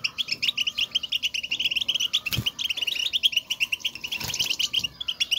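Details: European goldfinches giving motivational 'batbata' chatter, a call used in the wild to signal each other and their presence: dense, rapid, high twittering notes pouring out almost without pause, with a brief low thump near the middle.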